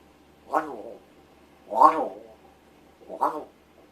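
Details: Rescued pet large-billed crow indoors, practising vocalising and speech mimicry when its owner pretends to sleep; three drawn-out, hoarse, voice-like calls with rich harmonics, about a second apart, in a quiet room.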